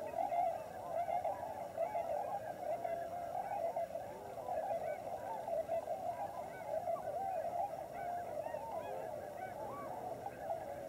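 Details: Large wintering flock of Tundra Swans (Cygnus columbianus) at Lower Klamath National Wildlife Refuge, Klamath Basin, Oregon/California border: a dense, continuous chorus of overlapping mellow honking and whooping calls from many birds, steady throughout.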